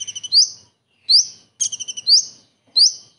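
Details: Kingfisher imitation by a common iora: fast series of thin, high notes leading into an emphatic upward-slurred whistle, with lone rising whistles in between and a faint low rumble underneath.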